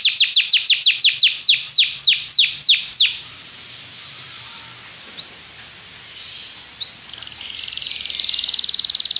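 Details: Belgian canary singing to encourage other canaries to sing during training; fast series of steep descending whistled sweeps for three seconds, then quieter scattered chirps and a soft buzzy rattle.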